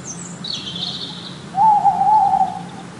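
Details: In a winter forest, a snowy owl gives one drawn-out, slightly wavering hoot lasting over a second, after faint high twittering and a quiet hiss.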